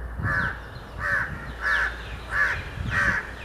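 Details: Grey francolin calling with a harsh, ringing two-part note repeated five times at roughly 0.7-second intervals, each phrase strong and fairly regular, over faint low rumble.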